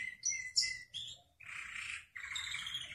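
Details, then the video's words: Atlantic canary singing, meant to prompt other canaries to sing: short high chirped notes, then two sustained buzzy rolling trills separated by a brief pause, over a faint low hum. "تغريد ولا في الأحلام"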